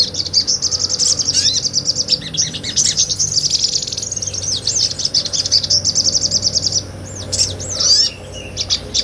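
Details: Sunbird in ngobra song, recorded live for tutoring other cage songbirds: a long, fast, high-pitched chattering trill running several seconds, then scattered sharp slurred notes and a quieter stretch near the end.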